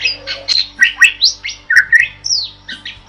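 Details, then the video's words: Lively starling singing, recorded for training other birds; loud swooping whistles and raspy squawks follow each other quickly, several notes bending downward. "Suara Burung JALAK GACOR"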